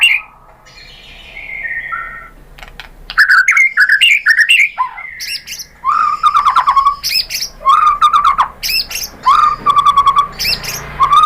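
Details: Lure recording of a white-rumped shama: soft descending whistles at the start, then loud energetic bursts of varied chattering and warbled notes, with mid-pitched phrases repeated at intervals.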